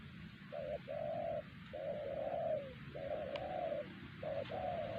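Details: Wild spotted dove at Siosar, singled out by trappers as the strongest caller there, silencing its rivals; repeated low hollow coos, each short note followed by a longer drawn-out one, over constant hiss with faint clicks.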